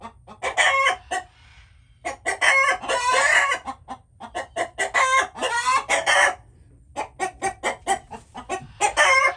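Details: Chickens giving rapid clucks and drawn-out harsh cackles, bursts of calls separated by short pauses, more than one bird audible.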